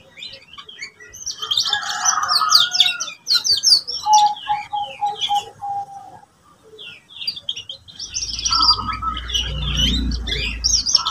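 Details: Singing canary for training young birds to learn song: bursts of varied chirps and trills, a run of repeated whistled notes, a brief pause, then more warbling over a low rumble.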